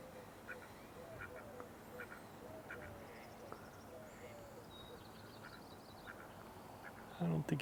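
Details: Mallards at a marsh on a May 4 morning, a male joining a female among hungry, well-fed ducks; short harsh quacks come in an irregular series, with faint high bird calls behind and a loud burst of noise at the end.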